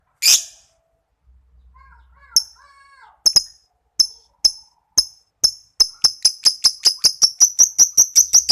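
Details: Young lovebird learning its chattering trill: after a loud opening squeak and soft notes, sharp high clicks start slowly and speed up into a steady rapid ticking series.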